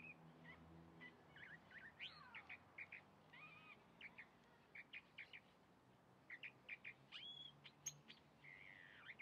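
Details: Calandria (chalk-browed mockingbird) singing: a varied run of short chirps, slurred sweeps and brief whistled phrases, high-pitched and irregularly spaced, with a low steady hum underneath.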